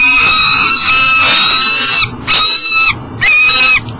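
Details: Peregrine falcon at a power-plant nest box beside the Mississippi River, Elk River, Minnesota, about 7am, unable to get into the box with breakfast, gives loud, harsh, drawn-out wailing calls about a second each in a rapid, insistent series.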